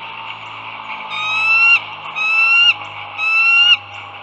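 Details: Bald eagles at Dulles Greenway in northern Virginia, morning of 16 April 2022 at 08:55: three drawn-out, harmonic, slightly rising whistled notes about one second apart, each cut off sharply, over steady low background hum.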